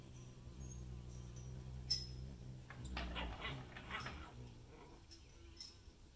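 Ruby-throated hummingbird: a low, steady wing hum with faint, very high, thin chips every second or so, plus some rustling noise in the middle.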